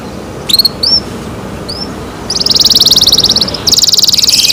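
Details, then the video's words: Canary singing softly at first with a few scattered rising chirps, then launching into fast, even buzzy trills, high and rattling, in two long bursts. "canary Nice sound"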